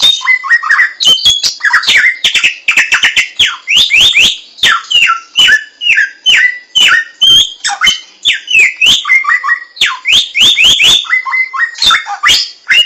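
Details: Laughingthrush, locally called samyong, heard in the wild giving a long energetic song of repeated rising and falling whistled slurs in quick groups, mixed with sharp harsh chatter.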